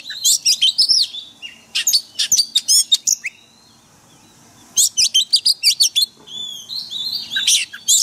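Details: White-rumped shama song for daily training of caged birds in a forest-voice style: rapid bursts of sharp, high whistled and chattering notes in two long phrases separated by a silent pause.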